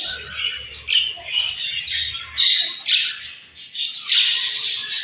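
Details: Morning feeding-time chatter of budgies: continuous overlapping chirps, squawks and warbled notes from several birds, with sharper bursts and faint low thuds.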